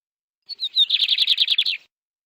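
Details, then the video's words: Canary singing a short phrase: a few clear whistled notes followed by a rapid run of repeated buzzy trilled syllables, about nine pulses in just over a second, high-pitched and clean with silence around it. "The sound of a canary bird"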